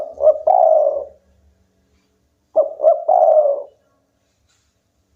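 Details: Local spotted dove in lively song: two soft, low cooing phrases, each a short stuttered lead-in followed by a longer drawn-out coo, about two and a half seconds apart, with silence between and a third phrase just starting.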